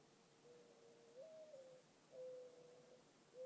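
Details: Evening call of a mourning dove: soft low hooting that swells upward, holds, then slides back down before steady drawn-out coos resume, a mournful repeated pattern.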